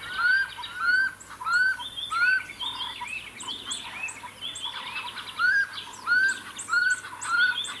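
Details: Common scimitarbills at a nest in a braai boma at Hlane Royal Game Reserve, as the first chick fledges: short, clear rising whistles about once a second over busy chattering and twittering of other birds.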